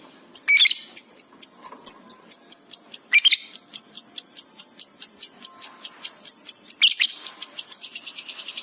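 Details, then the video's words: Lovebird in full chattering song, recorded for training pet birds: a fast, unbroken, high metallic trill of rapid ticking notes, broken by three sharp, louder bursts. "masteran love bird gacor"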